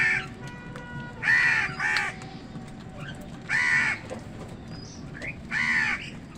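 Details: Wild crows fighting other wild birds for food give hoarse, harsh caws, four separate calls spaced one to two seconds apart over a low outdoor rumble.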